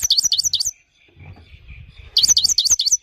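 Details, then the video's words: Himalayan goldfinch song with a clean voice: two rapid runs of high, bouncing, looping twitter notes, each about three quarters of a second long, split by a short gap with faint low background noise. "The best himalayan gold finch clean voice singing"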